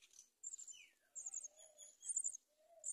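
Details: Mother myna feeding locusts to her chicks at a nest on a palm tree; a jumble of high squeaky chirps with a falling slurred note and some softer, lower warbling notes.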